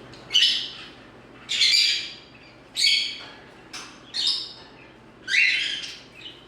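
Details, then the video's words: Pet green-cheeked conure bouncing its head, giving six loud, harsh squawks about once every second, each a short burst with a rough, buzzy edge, in a quiet room. "funny talking parrot videos green cheek conure"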